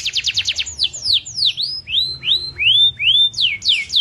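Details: Vigorous song from a tame canary (gacor): a quick trill of falling notes opens into slower, wide, swooping slurs, some rising and some falling, then quick falling notes again.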